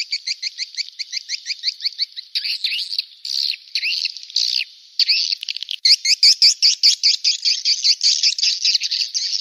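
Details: Call for luring swiftlets: quick high twitter pulses giving way to harsher buzzy squawks and dense, overlapping chirping bursts that grow busier toward the end.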